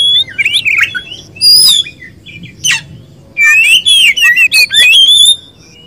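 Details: Oriental magpie-robin (kacer), a kept bird of poci or local type, pours out loud, varied whistled phrases mixed with sharp buzzy notes, pausing briefly before a dense closing run.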